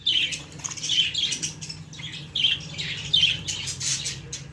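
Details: Chicks of the budgerigar, a pet parrot, uttering harsh squeaky calls in short repeated bursts about once a second, with a soft hum behind.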